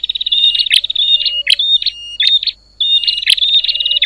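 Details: Agitated bar-winged prinia calls meant to provoke other prinias, a busy mix of high chirping trills and short piping notes with sharp clicks, one brief silence midway before the chatter resumes.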